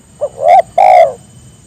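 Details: Spotted dove luring others into calling: a soft short opening note, then two grainy, low coos, the last one stretched and gently falling.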